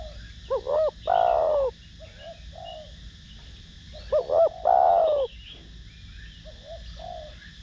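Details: Spotted dove in the Thổ Đồng voice style, cooing to lure and stimulate other doves: a loud two-part phrase, a short double note then a long falling coo, given twice, with soft distant coos between.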